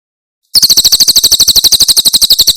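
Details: Javan prinia, tembakan song from Cililin for tutoring pet birds: after half a second of silence, a sudden, fast series of shrill, high chirps runs evenly to the end.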